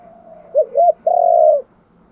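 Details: Spotted dove luring call, a full coo phrase: two short, clipped, arched notes followed by a half-second, steady, throaty coo that fades at the end. Quiet background.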